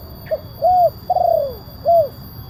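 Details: One full kuk 1 phrase of a big-voiced spotted dove used to lure wild doves: a brief low note, a smooth arched coo, a long wavering coo that falls away, then a closing rounded coo.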